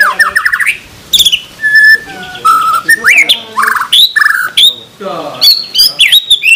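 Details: White-rumped shama song from a tutor recording meant to make murai batu sing: a jumble of clear whistles, descending notes, sharp clicks and short rattles, alternating quickly with brief pauses.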